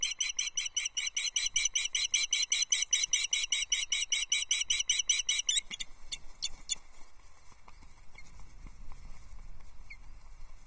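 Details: Female osprey on her nest at Loch Arkaig, Scotland, on 14 July 2024, calling for fish before a mating attempt. A rapid run of shrill whistled chirps for about five seconds, then scattered chips over faint wind.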